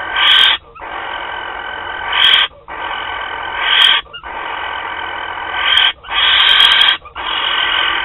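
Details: Barn owl pair at Théding, France, 28 February 2021, beginning their courtship; a series of harsh drawn-out rasping screeches, each one to two seconds long, swelling toward the end, with short pauses between.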